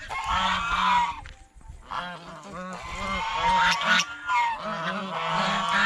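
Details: At a fish pond, geese feeding on bread and fresh vegetables keep up a brisk chorus of raspy honks, a brief lull after the first second, then continuous overlapping calls.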